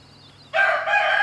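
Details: Rooster harassing a hen and her chicks; after half a second of near silence, a loud crow bursts in with a rich, brassy, sustained tone and a brief break partway through.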